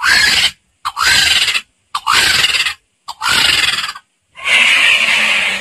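A vulture gives five harsh, hissing rasps, each under a second long, in quick succession with short gaps between them.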